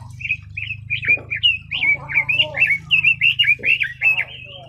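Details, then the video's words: Red-billed leiothrix (Leiothrix lutea) delivering a flowing series of short, slurred whistled notes over a constant low hum in the background. "Red-billed Leiothrix Singing Voice - Leiothrix Lutea bird"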